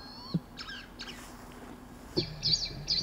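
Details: Blood pheasant in the wild in the eastern Himalaya giving thin, high, squeaky notes, some steady and some sweeping, in loose bursts. Two dull low thumps are also heard.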